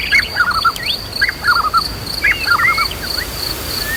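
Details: Agitated white-rumped shama song for stimulating a bird's fighting mood, with nature and river sounds: short phrases of four or five quick descending notes repeated, plus upswept whistles, over a steady high insect buzz.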